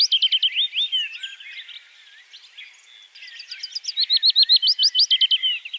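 A Willow Warbler sings two quick phrases of sweet, high, slurred notes, about three seconds apart, with faint twittering from other birds behind.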